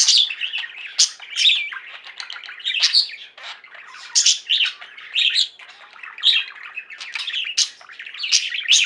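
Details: Chirping, singing flock of pet budgerigars producing a loud, nonstop tangle of scratchy warbles, clicks and shrill squeaks, with frequent sharp high notes.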